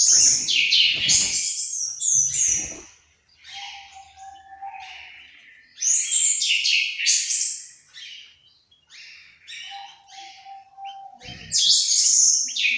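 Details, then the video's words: Aviary-kept orange-headed thrush in Malang, East Java, delivering three loud bursts of jumbled high warbling and chattering notes about every five seconds, separated by quieter twittering and a faint steady low tone. "suara burung anis merah"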